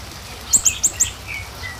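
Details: Small minivet lure call: four quick, very high, thin chirps in a tight series, each a brief rising-falling note, followed by a few faint lower whistled traces against soft background hiss.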